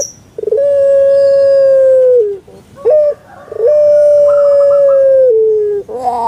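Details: Captive Barbary dove, known in Java as puter pelung, gives a drawn-out, even coo of almost two seconds that sags at the end. A short stuttered note follows, then a second long, slightly falling coo.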